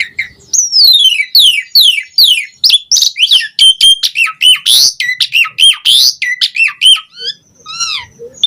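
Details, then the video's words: Lively varied song of an Asian pied starling: repeated descending whistled slurs, then a dense run of sharp chirps, warbling notes and buzzy bursts, closing with a few softer falling whistles. "Pancingan Jalak Suren Gacor Variasi - Masteran Suara Burung Jalak Agar Cepat Gacor"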